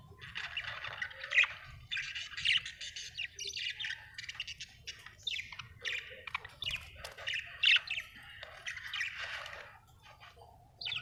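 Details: Happy budgerigar chattering steadily: a stream of scratchy chirps, clicks and short buzzy notes, loudest accents recurring every second or two, with a faint low hum behind.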